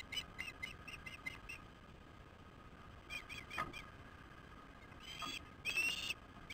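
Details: Osprey at a nest camera on 15 August 2015 around 19:17 during a fish delivery to a young bird: bursts of short, high, whistled chirps in quick series, pausing, then louder, rising chirping near the end over faint background hiss.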